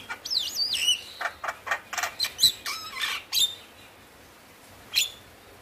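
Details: A male Javan myna sings a rapid jumble of harsh chatters, squeaky whistles and sliding notes for about three seconds, then pauses before one more sharp note; used to prompt reluctant mynas to sing.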